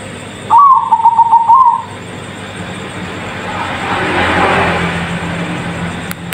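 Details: Bangkok-strain zebra dove singing: a quick, stuttering string of soft coos run together for about a second, then silence from the bird while a steady hum and broad rushing noise continue.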